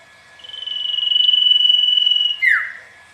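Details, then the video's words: Common iora singing as a lure to prompt a kept bird to reply. A single long trilled whistle swells, holds steady and rises slightly, then snaps into a short falling slur before fading. "Cipoh/sirtu gacor, 1 kejap burung anda respon nyaut"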